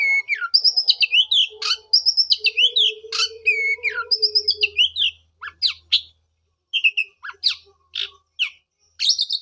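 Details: Oriental magpie-robin song used to stimulate a kept bird silent after moulting: rich varied whistled phrases, falling slurs and repeated high notes in rapid bursts, then scattered sharp chips and harsh rasps, faint low hum.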